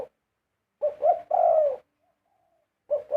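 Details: Spotted dove, large birds singing a prized 'karom' cooing phrase: a short low coo, a pause, then a hoarse two-part coo with a long drawn final note, and another phrase beginning at the end.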